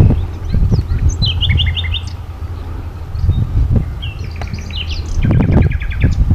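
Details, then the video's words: Spring forest song of a common nightingale, Sithonia, Greece, 22 April 2018: three bursts of fast evenly repeated notes, each run several beats long, separated by short pauses, over steady low rumbling noise. "A Nightingale chants in the forest"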